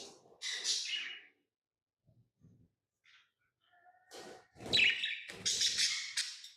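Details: Tamed lovebirds: a brief harsh chirp, a quiet stretch with faint soft sounds, then louder grating, buzzy chirps clustered toward the end.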